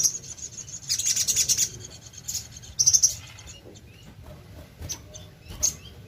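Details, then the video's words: Sogon (little spiderhunter) used as a lure singer: dense bursts of fast, shrill, buzzy trills lasting about a second each, followed by scattered thin high chirps. "BURUNG SOGON GACOR#PANCINGAN SUARA BURUNG SOGOK ONTONG"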